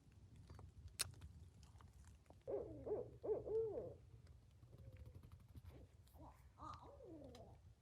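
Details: At a campsite around 10:30 at night, owls a viewer identifies as Barred Owls trade wild, wavering, monkey-like hoots and cackles in two bursts a few seconds apart over a low hum. The camper first took them for coyotes.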